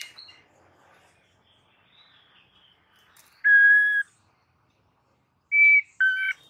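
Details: Aggressive white-rumped shama song serving as a master recording for training birds to fight: quiet scattered notes, then two long, pure, steady whistles, each about half a second, separated by a pause.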